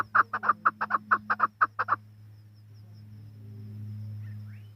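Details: Chukar partridge giving a short burst of rhythmic chuck notes for about two seconds, followed by a background rumble and low hum.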